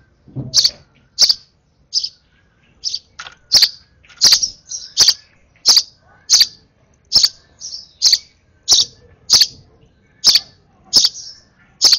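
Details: Hand-fed sparrow baby at its last feed keeps up a rapid string of shrill, high begging chirps, nearly twenty in twelve seconds, some doubled.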